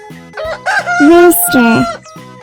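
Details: A rooster crows once, a drawn-out cock-a-doodle-doo with a rising start and a falling, wavering end, over steady children's background music.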